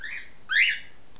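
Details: A pet cockatiel, one of six kept in cages indoors, gives a short whistled note, then a louder, sharply rising chirp. A faint hum sits underneath.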